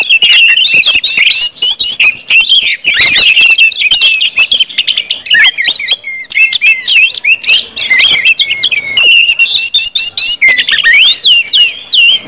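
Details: Orange-headed thrush pouring out ngeplong song, used as a lure so other birds start singing fast: a steady, busy cascade of sharp whistled notes and quick slurred chirps with hardly a pause.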